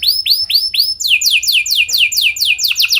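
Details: Canary lure song for prompting other birds to sing, made of loud downward-slurred whistles repeated about three to four times a second, speeding into a quicker series of swooping notes.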